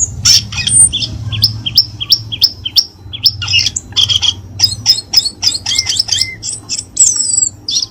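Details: Cucak keling lure call for stirring caged birds into song: a quick series of high, upslurred whistled notes, roughly three per second, then busier twittering with a couple of lower slurred whistles, over a faint low hum.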